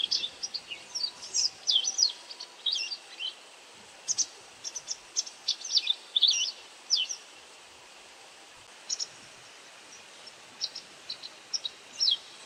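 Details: White wagtail calling as it feeds on insects: bursts of sharp high twittering chirps, denser at first, then a quieter stretch, then sparser single and double notes; steady faint hiss behind.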